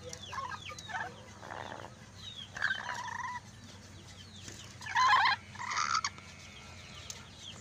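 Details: Lory producing speech-like sounds: scattered short syllables, a drawn-out nasal phrase, then a loud harsh burst and a final rasping syllable, all over a steady low background hum.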